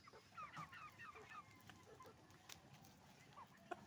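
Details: Chicken farm scene of roosters and hens: a quick run of descending clucks at the start, then a few isolated calls and a sharp squawk at the end over steady background hum.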